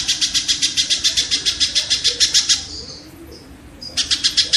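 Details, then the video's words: Shrike song used as training audio for songbirds to copy, a rapid harsh rattle of rough chattering notes about three and a half per second, briefly pausing before resuming. "suara burung tengkek"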